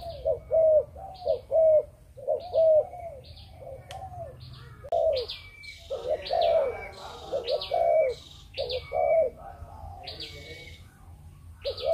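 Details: Malaysian spotted dove kept for breeding repeating a 'chụp chụp ô' coo in low hollow hoots. Sharp higher chirping from other small birds grows busier in the second half.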